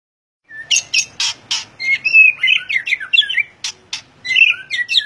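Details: White-rumped shama in full song: sharp percussive clicks alternating with rich, fluid whistled phrases that twist up and down, delivered in a rapid, varied stream after a brief silence.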